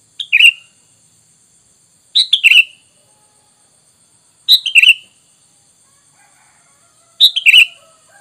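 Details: Sooty-headed bulbul lure sound used to draw wild birds into answering: short bright chirps in tight clusters of two or three, each burst dropping slightly in pitch, repeated about every two and a half seconds against quiet background.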